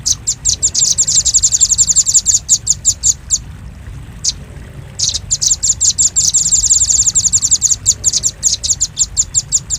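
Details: Bird-luring recording of the velvet-fronted nuthatch: fast, shrill chattering chips in long dense bursts, one clear pause around four seconds, then renewed rapid chipping to the end.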